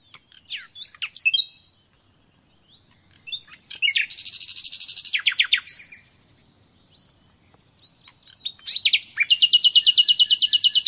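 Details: Common nightingale song for training captive birds: varied phrases of sharp chirps, a dense buzzy trill, and a final long run of rapid, evenly repeated loud notes, separated by silent pauses.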